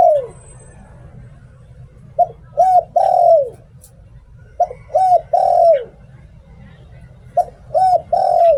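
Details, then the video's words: Decoy spotted dove from Thailand giving 'Liu Tan' style song. Three phrases, about every two and a half seconds. Each has a brief coo, an arched hooting note, and a long coo that slides downward. Soft low hum underneath. "เสียง "หลิ่วตัน" นกต่อ เสียงชัดภาพชัด"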